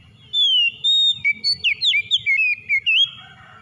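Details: Kacer, the Oriental magpie-robin, singing to stimulate a stressed bird: drawn-out pure whistles lead into a rapid sequence of rising and falling warbled notes, about ten in quick succession, with soft low background hum.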